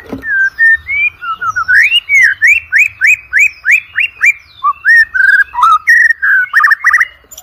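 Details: White-rumped shama in full song, used as a lure to train competition birds: a run of loud upswept whistles repeated about three per second, then varied fluttering phrases and chips.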